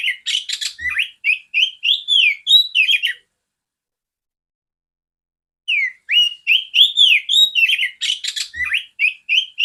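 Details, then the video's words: Oriental magpie-robin female singing to train other magpie-robins: two bursts of rapid whistled and buzzy notes, rising and falling, separated by about two and a half seconds of silence. "Terapi burung kacer betina suara besar jernih kacer jantan"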